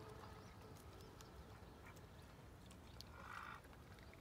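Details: Domestic duck giving a single short, harsh quack near the end, preceded by faint scattered ticks, over a steady low rumble of background noise.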